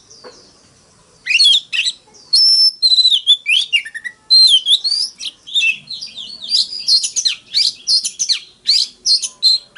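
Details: Forest-voice fighting song of an Oriental magpie-robin, sung to stimulate other males. After a quiet second it launches into fast, varied phrases of sweet whistles, sliding notes and harsh chatters, strung almost without pause.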